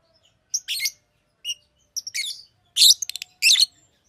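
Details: Fischer's lovebird producing quick, shrill chirps and a stuttering run of clipped notes, five loud bursts close together within four seconds.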